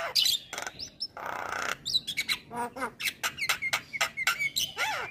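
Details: Male white-eyed Javan myna singing, used as a lure to get reluctant mynas to sing: a harsh noisy burst, then a broad rasping note, followed by rapid chattering clicks and short whistled notes repeated at a quick pace.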